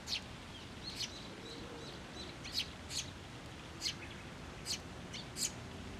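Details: Adult sparrows with chicks coming to a feeding post at a Tenmangu shrine, 11 June 2024; bright high chirps in loose clusters, several per second at times, against low ambient noise.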